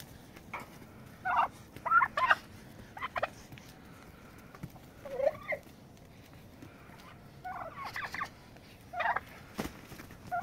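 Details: Turkeys fighting to set a pecking order, giving scattered short, harsh call bursts at irregular intervals, with sharp clicks and scuffling noises between them.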